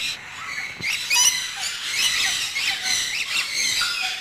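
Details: Lory eating dragon fruit, giving harsh squawking calls with repeated rising and falling upsweeps, fairly continuous over about four seconds.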